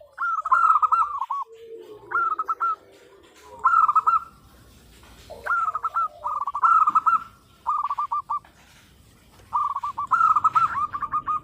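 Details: Local female zebra dove calling the male: repeated bursts of rapid, bubbling coo notes every one to two seconds, some phrases louder and richer, with soft low cooing between them.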